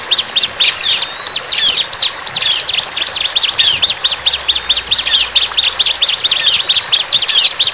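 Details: Bar-winged prinia singing lively in the wild: a continuous run of sharp, very high chirps and quick downslurred notes, packed densely for the whole stretch, with steady faint background hiss.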